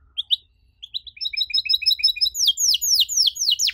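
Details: Canary in full 'gacor' song with long bursts and ornate 'cengkok mewah' phrasing, meant for young canaries learning to sing: a few sharp chirps, then a run of quick repeated high notes speeding into steep descending sweeps.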